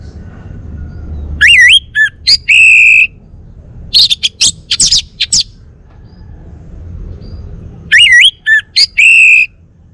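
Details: Male orange-headed thrush of the Bali type, kept as a songbird, mixing wavering whistled phrases with bursts of rapid high scratchy chattering notes, the whistled phrase returning near the end.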